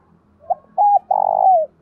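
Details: Spotted dove decoy calling in the 'thổ đồng' voice: short note, arched coo and a long burry falling coo, with the next phrase just beginning; faint low background hum.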